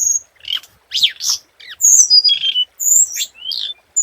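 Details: Scarlet minivet lure song. Harsh, rising and falling buzzy notes lead into clear high whistles, then a descending slurred whistle and quick upward-sweeping notes. The phrases come in short, tight bursts.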